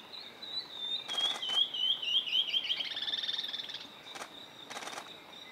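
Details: A Tawny-throated leaftosser in NE Brazil in October 2016 sings a high, thin series of quick whistled notes that slide gently downward, over a faint forest hiss with a few brief crackling bursts.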